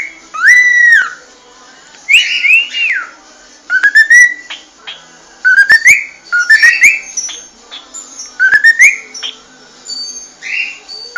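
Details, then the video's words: Whistled cockatiel song: a high arching note sweeping up and falling back, then a series of short upward-slurred whistles repeated roughly every second, each ending in a brief level tone. "شاهد اروع غناء من طيور الكوكتيل خرافي"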